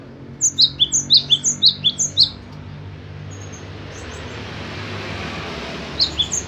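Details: Cinereous tit singing a fast series of about nine high, thin, sharp paired notes over two seconds, then a pause and a few fainter notes at the end, against a low background hum.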